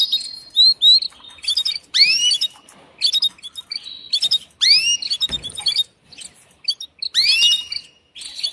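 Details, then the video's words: A female canary calls to a male for mating: sharp, high chirps mixed with several loud arching whistled swoops that recur every couple of seconds. "نداء أنثى كناري للتزاوج"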